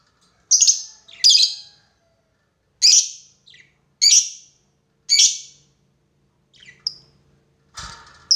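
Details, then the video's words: Lovebird lure recording calling a rival, long ngekek style: loud harsh screeches roughly every second, each short and high-pitched, with a faint softer note between them. "SUARA BURUNG LOVEBIRD MEMANGGIL LAWAN,PANCINGAN LOVEBIRD NGEKEK PANJANG"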